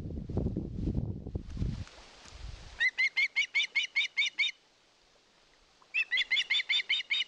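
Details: Osprey pleading for fish at a live-camera nest in Satakunta, Finland, 2022: after low rustling and flapping, two bouts of shrill upslurred whistles about six per second, separated by a short silence.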